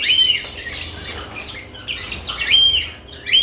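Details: Lovebirds busy around newly added nest boxes, with thin whistled chirps and shrill squeaks in overlapping bursts, a quieter patch midway, then renewed chatter.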